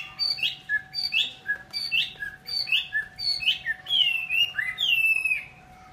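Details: Chinese hwamei repeating a bright two-part whistled phrase about every seven-tenths of a second, the phrase shifting into longer sliding whistles toward the end; faint steady hum in the background.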